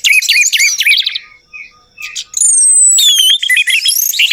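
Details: Orange-headed thrush song as a lure to get a silent bird singing: a fast tumble of varied whistles, a quieter pause, then loud sweeping high whistles and bubbling notes.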